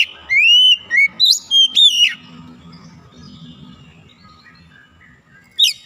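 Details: Oriental magpie-robin, being coaxed from reluctant to energetic singing, gives five quick, loud whistled phrases rising and falling, then falls quiet until a single sharp note at the end.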